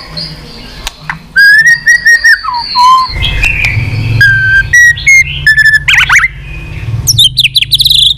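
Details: White-rumped shama singing and tacking, used to rouse shamas lacking fighting spirit; clear level whistles, falling slurred notes, crisp clicks, under a steady low hum.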